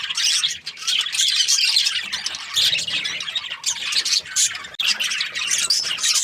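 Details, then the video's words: Busy chirping from Australian budgies: thick layers of sharp squawks and warbled twitters overlap throughout, with short dips in loudness near the start and toward the end. "Australian budgies chirping sound"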